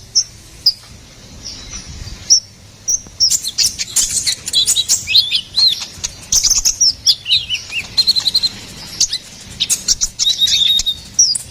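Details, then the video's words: Ruby-cheeked sunbird in sustained energetic song: scattered thin whistles at first, then a long, rapid run of high twittering chips and slurred squeaks. "SUARA GACORAN KONIN KOLIBRI NINJA"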